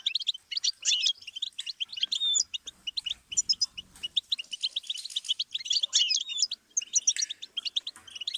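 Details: A long goldfinch song phrase for teaching songbirds: eight seconds of almost unbroken, liquid, high twittering. Clusters of quick chips are mixed with twangy buzzy elements, and one short gap comes near six and a half seconds.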